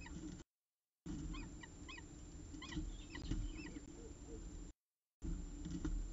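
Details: Peregrine falcon at the CSU Orange nest on 14 October 2019, evening around 6:54 pm, arriving with the last prey of the day; a run of short, harsh, chevron-shaped calls repeated rapidly for about two seconds over low steady hum.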